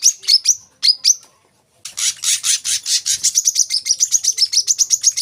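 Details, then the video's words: Olive-backed sunbird singing, played to train young birds: a few high upward-flicking notes, a pause, then a buzzy harsh burst that speeds into a fast run of thin repeated chirps. "kolibri kelapa | wiceh | manggar | putar suara ini untuk burung bahan agar rajin bunyi"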